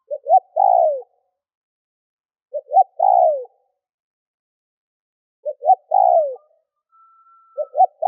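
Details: Decoy spotted dove cooing to provoke wild birds: three phrases about three seconds apart, each two short clipped notes then a long, full coo sliding downward; a faint steady whistle-like tone near the end.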